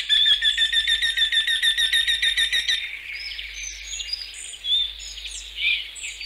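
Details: A Eurasian Wryneck in Central Russia gives a quick series of about a dozen nasal, ringing 'quee' notes over three seconds, then other small birds chirp and twitter.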